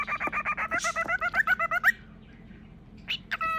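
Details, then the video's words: Pet cockatiel winding up before a peekaboo game, a rapid run of about fifteen rhythmic chattering notes at four per second, rising toward the end, then a pause and brief whistled notes indoors. "Cockatiel plays an adorable game of peekaboo"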